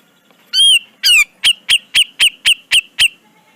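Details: Cucak jenggot (grey-cheeked bulbul) singing in a tutor recording. A clear rising whistle and a harsher falling note, then a steady series of about eight loud, clipped notes spaced a quarter second apart. Quiet background.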